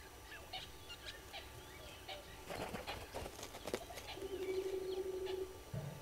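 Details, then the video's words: Red-billed hornbills at a waterhole, Gowrie dam, Djuma Game Reserve, South Africa, early morning of 15 April 2022: thin chirps and a burst of rustling give way to a quick, low, stuttering cluck series near the end. "Red-billed Hornbills below cam"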